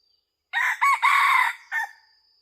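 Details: Red junglefowl crowing during decoy hunting, recorded 2022-2023: one loud rooster-style crow in several hoarse, harmonic-rich segments, a short opening note, a long sustained middle phrase and a clipped final note, with a faint steady insect whine behind.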